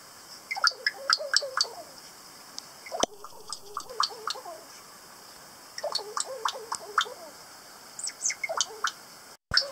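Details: Long sequence of harsh, chattering kaka calls from Stewart Island, New Zealand, where these parrots are local. Several bursts of rapid rasping notes rise and fade, broken by short lulls, and a sharp click sounds near the end.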